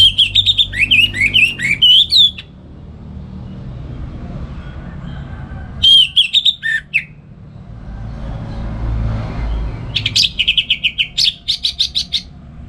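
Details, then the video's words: Kept orange-headed thrush singing in the morning as a tutor for other songbirds: fluid looping whistled phrases, then a short burst at six seconds and a sharp rapid series of clipped notes near the end, separated by quiet gaps with low rumble. "Pagi Hari Hari ANIS MERAH Ngeplong Gacor Untuk Pancingan & Masteran Burung Dirumah"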